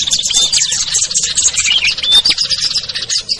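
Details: Lure recording of small birds, meant to draw hard-to-lure birds down, among them ciblek, kutilang, trucuk, sogon and perenjak: a dense, busy chorus of high chirps and thin whistled notes overlapping continuously, with short clear whistles standing out.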